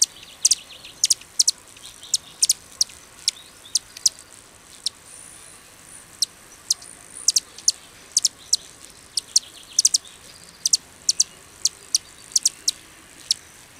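Calliope hummingbird giving sharp, very high ticking chips at an irregular pace of about two per second, with a faint thin high whine behind them.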